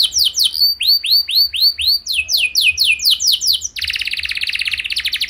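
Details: Canary song meant to make other canaries join in: repeated arched whistles and falling slurs, ending in a fast buzzy rattling trill.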